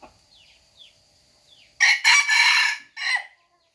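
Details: Rooster crowing: after near silence with faint high chirps, a loud harsh broadband crow of three close bursts lasting about a second and a half, then one shorter final burst.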